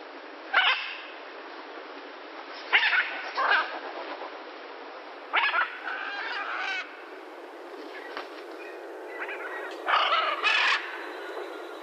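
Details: Blue-and-yellow macaw producing widely spaced, brief, raspy squawks, some in pairs, separated by several seconds of quiet background hiss.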